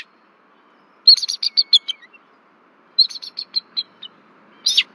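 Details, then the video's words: Bald eagles warning at their Berry College nest tree in Rome, Georgia, on 1 February 2024 while an intruder flies overhead: two quick descending series of thin, high chips, then a sharp loud squeal. "Intruder Flies Over Nest Tree-Missy & Pa Warns"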